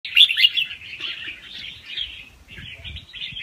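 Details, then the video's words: Young wild-caught red-whiskered bulbul singing softly with fast rounds and a doubled phrase. Its song is used to excite other birds. A continuous high chattering warble of quick twittered notes runs throughout, with a brief dip near the middle. "ลูกนกกรงหัวจุกป่าคัดหัวปากเบาๆ รอบเร็ว มีลักเบิ้ล ใว้เปิดกระตุ้นนกฟังนกคึก"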